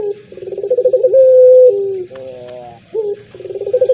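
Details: Puter pelung collared dove cooing: a pulsing, rolling coo that runs into a long, steady, drawn-out tone, then a lower falling note and a short rising hiccup before the rolling coos start again. A low hum runs underneath.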